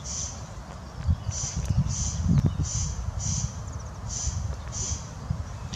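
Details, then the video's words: Rasping call of a corn crake, short harsh scraping bursts repeated roughly every half second to second in a steady series, faint over heavy low-pitched rumbling noise. "Крики коростеля"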